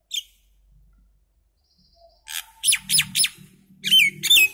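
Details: Common myna song: a lone note, quiet pause, then sharp descending whistled chirps and squeaky, slurred calls over a low background hum.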